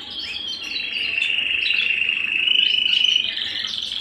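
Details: A canary singing at home delivers one long, unbroken rolling trill that swells steadily louder, lifting slightly in pitch toward the end, with faint chirps above.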